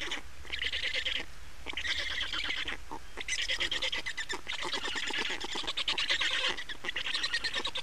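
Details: Black storks nesting in Estonia, changeover and feeding on 28 May 2019 at 15:51: repeated runs of loud, squawking, rapidly pulsed rasps separated by short gaps.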